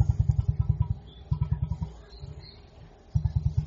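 Emu giving a deep, throbbing drum: bursts of rapid low thumps, about eight a second, broken by short pauses.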